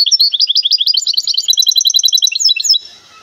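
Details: Caged goldfinch hybrid from Temara delivering a dense, rapid twittering song of high repeated chirps and buzzy trilled notes, ending abruptly and leaving faint background hiss.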